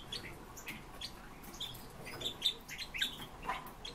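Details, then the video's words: Red-billed leiothrix, also called Chinese nightingale, kept as a pet bird, giving short scattered high chirps and tweets at irregular intervals, fairly quiet against a soft background hiss. "Китайские соловьи"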